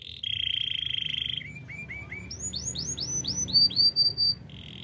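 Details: Singing canary: a steady flat rolling tone, a few low upslurred chirps, then a rising series of bright arched whistles, closing with another brief rolling tone.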